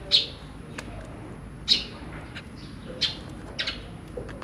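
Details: Zebra finches from a pair with three babies, recorded 23 January 2022, give short, bright, high chirps, four in a little over four seconds at an uneven pace, over a faint steady background hiss.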